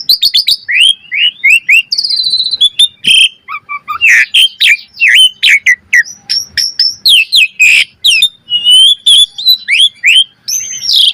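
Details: Asian pied starling performing a varied master song for training caged birds: a long, dense medley of rising and falling whistles, harsh chatter and quick chirps, delivered almost without pause.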